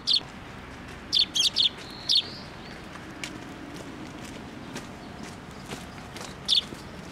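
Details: Sparrows flying in to take food set out on a post at a Tenmangu shrine, 25 April 2024; short, sharp high chirps come singly and in quick clusters of three, then one more after a pause, over a low background hum.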